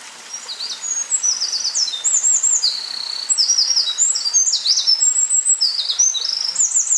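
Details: Eurasian wren singing in May 2012, recorded close up: an unbroken, very fast outpouring of piercing high trills, chirps and whistled phrases for about seven seconds, with faint background hiss.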